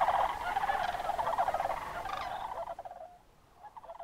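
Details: Sandhill cranes on October migration at Crex Meadows State Wildlife Area, Northwest Wisconsin, evening or early morning; rapid, throaty rattling bugles overlapping for about two and a half seconds, then fading to a softer, distant rolling call.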